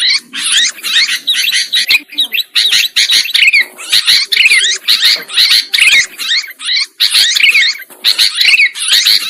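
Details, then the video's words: Sooty-headed bulbul calls used as a lure sound for trapping birds: dense, overlapping harsh chatter of many birds, with rapid buzzy notes sweeping up and down, repeated in bursts of about two per second with brief pauses. "Suara Pikat Burung Kutilang Ampuh"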